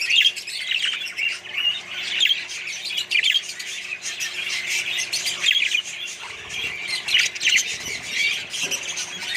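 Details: Budgerigars in a mixed colony with other birds, a steady wash of high twittering and chirps from many birds at once, rising and falling in loudness throughout.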